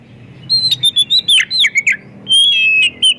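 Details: White-rumped shama song played as a lure for other shamas: loud, fast series of clear whistled notes and downslurs, followed by a sustained bright whistle with a slight warble.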